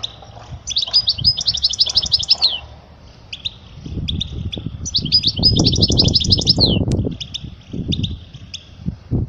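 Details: European goldfinch song used to teach young goldfinches: two bright bursts of rapid twittering trills separated by scattered high chirps, over low thumping and rumbling background noise.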